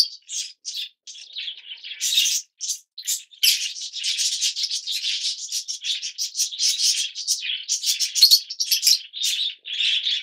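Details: Continuous busy twittering of yellow-mutation Fischer's lovebirds: overlapping high, scratchy chirps and squeaks with barely a pause over ten seconds.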